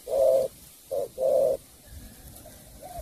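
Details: Three strong, steady coos from a spotted dove in Cà Mau, the middle one shorter, followed by quiet with a faint distant coo at the end.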